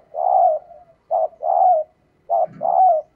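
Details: Female spotted dove stimulating males with repeated coos: one long coo, then two pairs of short and longer coos, the second pair over a low throaty murmur.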